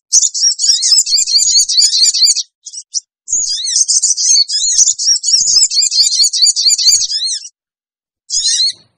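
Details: Sooty-headed bulbul calling as a lure to attract wild birds: extended bursts of rapid, shrill, jumbled chirping, broken by short gaps, and a final brief squeaky phrase.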